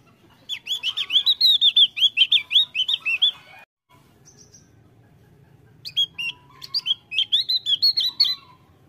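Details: Energetic song of a Javan grey-throated white-eye: two bursts of quick, high, trilling warbles, each around two to three seconds, separated by a brief quiet gap with a faint hum.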